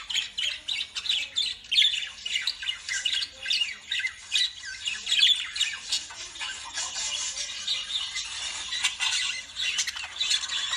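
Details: A flock of lovebirds squawks in loud, shrill pulses, harsh bursts coming about every second at first, then merging into a steady high chatter.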